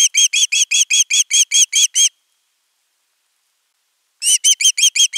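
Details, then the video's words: Osprey begging for fish at nest 3, 10 August 2021, before a whole fish arrives. A fast run of about ten shrill whistled notes is followed by a two-second pause, then the rapid series resumes. "Myy huutaa pitkään kalaa"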